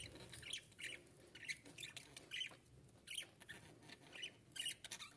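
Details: A pair of monk parakeets give harsh, scratchy squawks in quick bursts, about one or two each second, with overlapping chatter between the calls.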